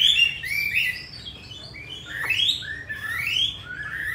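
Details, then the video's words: Captive Hwamei, Hanoi, Vietnam, prized for its forest-type 'giọng rừng' song and frequent singing: loud, mellow whistled phrases with rising and falling slurs, separated by brief gaps. "Họa mi 5633b đẹp giọng rừng hay mau mỏ"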